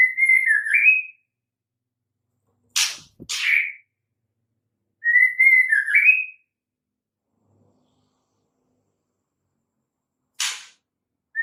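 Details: Female white-rumped shama calling, a sound meant to draw males into song: short wavering whistled phrases repeated every few seconds, separated by sharp clicking taps.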